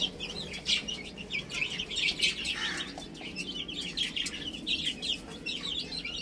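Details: Several baby chicks chirp as they play and eat, their thin high peeps running almost without pause, many voices overlapping in a steady twittering chorus.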